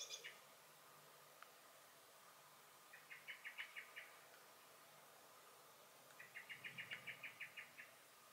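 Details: Common blackbird calling in alarm in a garden in May 2021: two rapid series of seven to ten hard, chattering clicks, separated by a few quiet seconds.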